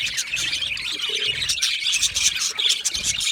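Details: Budgerigar colony chirping, a sign of happy, comfortable birds: overlapping bright twittering and squeaky warbles from several budgies, busy and unbroken, with a few short whistled notes standing out.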